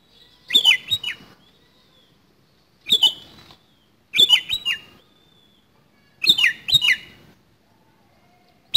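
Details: Oriental magpie-robin fighting song, four scratchy bursts of clicks and short falling whistles every two seconds or so, with faint thin whistles between.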